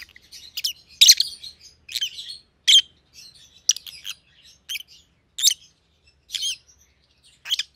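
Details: Captive rosy-faced lovebirds of white-headed pallid and green opaline mutations chirp steadily, one shrill scratchy note roughly every half second to second, with faint chatter between.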